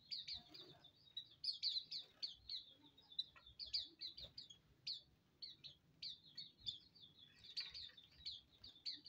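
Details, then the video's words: Busy chatter from a colony of Hume's white-eyes while bathing: rapid high chirps and short twitters overlap almost continuously, many birds calling at once, with soft background noise. "koloni pleci auriventer mandi"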